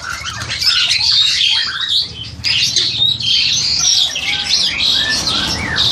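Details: Crested myna about seven to eight months old, a captive bird ready for a breeding cage in Indonesia, captured with an old Samsung phone: rapid high chirps and scratchy squeaks, steady with a short lull midway.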